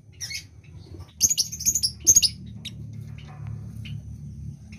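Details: Lovebird in breeding condition giving a quick run of piercing, stuttered chirps, about five rapid bursts in the first half, then softer scattered squeaks over a low hum.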